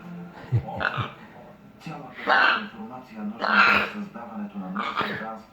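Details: A pet macaw named Rocco, recorded on an evening in late May 2019, gives harsh, raspy, speech-like squawks, four loud bursts roughly every one to one and a half seconds, over a low steady hum.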